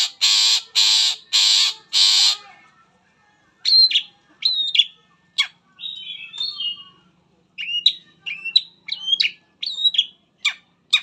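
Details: Long-tailed shrike song used as a lure to prompt other shrikes to sing, full of varied material: four loud harsh rasping bursts, then a pause and a run of sharp whistled notes and short buzzy phrases.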